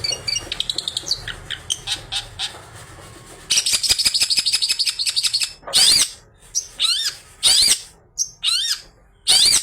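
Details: Long-tailed shrike delivering an imitation-filled song used as a lure for other shrikes: soft quick chips, then a loud fast rattling series, followed by spaced bold notes that swoop up and down.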